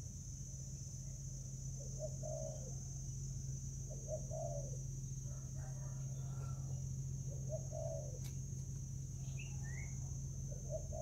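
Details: Spotted dove fighting over food, Vietnam, 24 July 2019: soft low coo phrases recur every couple of seconds beneath a loud steady hum, with a click and two brief higher chirps from another bird near the end.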